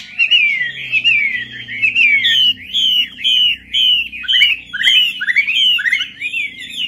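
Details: Chinese hwamei, or melodious laughingthrush, song played as a lure: a run of rich, loud whistles, each a downslurred or upswept note, in bursts separated by short pauses, over a faint low hum.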